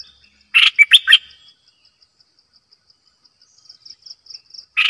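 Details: Decoy bulbul delivering a loud, quick phrase of three or four fluty, warbled notes. The next phrase begins at the very end, over a steady high rhythmic ticking.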